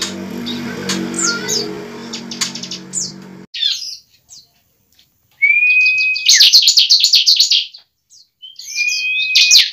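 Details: Bar-winged prinia fighting song meant to trigger singing and fighting: after muffled background noise and a pause, a long steady whistle leads into loud rapid buzzy trills, repeated once more.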